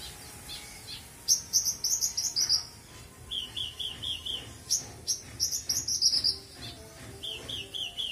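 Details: Full isian song from a caged Australasian bushlark: rapid high chattering phrases alternating with lower, evenly repeated twittering notes, delivered in quick bursts with short gaps.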